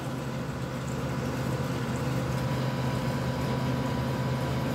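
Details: Steady low mechanical hum, like a motor or pump running indoors, fills the recording with no bird or other animal voice.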